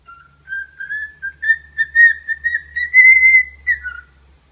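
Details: Pet cockatiel singing toward its own reflection in a suitcase: a long run of clear whistled notes held at one pitch that slowly climbs, ending in a brief falling note, with faint music underneath.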